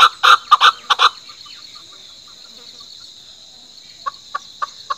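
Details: Chukar producing a short burst of loud, harsh clucking notes. A quiet pause follows, then four spaced single chuck notes over a continuous high hiss.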